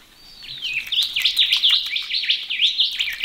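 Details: Australian ringneck parrots bathing in a pond on a chilly morning in Australia. A quick rising whistle is followed by a rapid run of sharp, chirping notes, each bending up and down, repeated several times a second.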